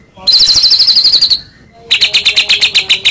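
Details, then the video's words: Medan white-rumped shama lure song for provoking rival shamas: a high buzzy trill about a second long, a brief pause, then rapidly repeated bright notes around four per second. "Pancingan Tarung Murai Medan Gacor AMPUH Buat Murai Apapun Seketika Langsung Nyaut"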